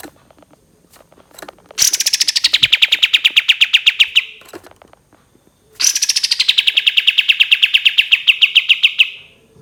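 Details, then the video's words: Cream-vented bulbul singing its long 'tembakan' trill: two rapid bursts of sharp pulses, about eight per second, sliding from high down to a steady pitch over roughly three seconds each, with faint clicks between. "SUARA BURUNG KAPAS TEMBAK KATEM NYAUT GACOR DOR"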